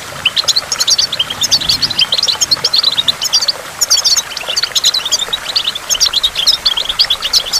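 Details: Goldfinch by a waterfall delivering a busy, high, jingling twitter of rapid chirps and trills in repeated phrases, scarcely pausing through the whole stretch.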